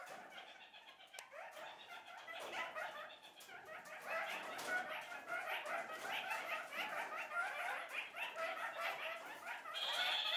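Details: A flock of Kakariki parakeets in one of their several daily group chatter sessions, a busy, overlapping stream of short nasal chirps and squeaky notes, about two or three a second, with a higher squeal near the end.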